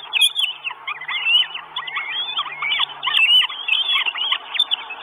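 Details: Begging Northern goshawk chicks, four nestlings wanting food at an Estonian nest on 1 June 2022, filmed by a live camera. Shrill rising-and-falling whistles tumble over one another in a continuous excited chatter.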